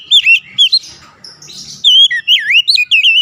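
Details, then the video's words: Oriental magpie-robin song: a few loud slurred whistles, a brief noisy pause, then a lively run of bright, up-and-down whistled notes repeated in quick succession. "SUSUNAN KICAUAN KACER YANG INDAH DAN ENAK DI DENGAR"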